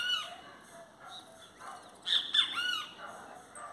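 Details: Singing Great kiskadee gives a single strident three-part phrase midway: two emphatic buzzy notes, then a drawn-out slurred note. Softer faint calls and low background noise fill the rest.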